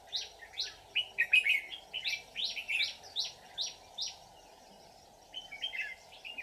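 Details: Red-whiskered bulbul, white-cheeked form, a decoy bird singing in a fight to lure wild bulbuls into a trap on 24 July 2019; a rapid run of bright, chirpy, slightly descending whistled phrases, about two per second, then a brief pause and softer twittering.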